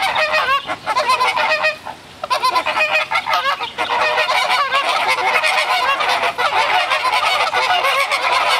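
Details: Flock of flamingos in Brownsville, Texas, in spring breeding display, escalating calls before flapping and running together; dense, overlapping nasal honking from many birds, dipping briefly around two seconds then continuing loud and steady.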